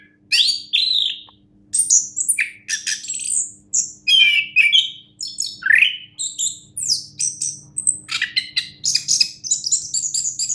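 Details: A prize-winning orange-headed thrush sings energetic bursts of high chirps, twitters and downslurred whistles, the phrases coming faster and more clipped toward the end.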